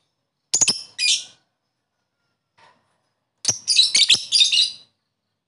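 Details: Lovebird sounds meant to prompt sluggish lovebirds into singing: a pair of quick high chirps, a pause, then a longer rapid run of shrill twittering notes.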